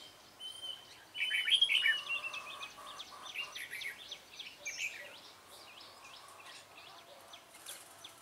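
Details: Dark-bibbed red-whiskered bulbul recorded during bulbul trapping on 28 February 2017. A bright burst of warbled, chirpy notes rises and falls for about two seconds, then fainter scattered chirps continue over steady background hiss.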